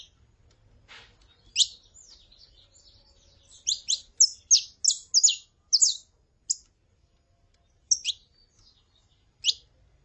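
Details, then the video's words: Saffron finch, female calling and male singing: scattered bright high notes, then a quick burst of about eight loud descending chirps near the middle, followed by a few more spaced notes, in a quiet setting. "CANTO DE FÊMEA PARA ESQUENTAR CANÁRIO DA TERRA (FÊMEA CHAMANDO E MACHO CANTANDO)"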